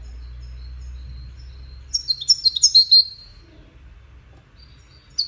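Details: One of five wild European goldfinches in a singing contest gives a single brief burst of about a second of sharp, high chirps amid quiet low background hum, with a faint note at the end.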